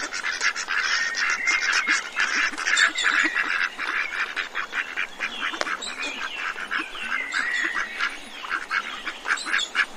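A flock of domestic ducks gives a steady clamor of harsh, nasal quacks that overlap constantly, several calls each second, with no pause.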